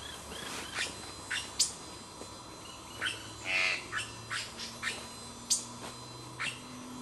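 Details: Magpie tanager (Cissops leveriana) recorded 12 July 2008, giving sharp, dry chirps at irregular intervals, with one longer harsh burst partway through, over a faint steady insect hum.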